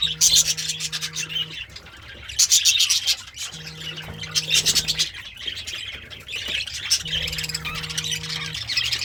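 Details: A happy budgerigar eating greens sings a scratchy, high warbling chatter in bursts, while a low steady hum switches on and off three times in the background.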